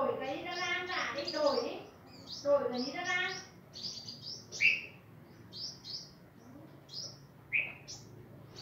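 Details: A female five-colour sunbird hops about, a sign she is starting to pair for the coming breeding season; she gives thin, high chips and a few sharper metallic notes, scattered irregularly, while a woman talks over the first half.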